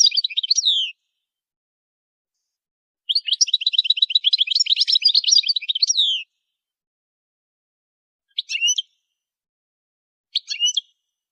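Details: Goldfinch song for training: a brief twittered burst, a pause, then a three-second run of fast chattering notes with a buzzy edge, followed by two short separate chirp groups.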